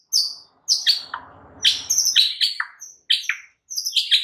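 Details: White-rumped shama in a masteran training recording meant to make caged shamas reply. High, sharp chirping phrases in bursts roughly every half second, with brief pauses between groups and a faint low rattling underneath.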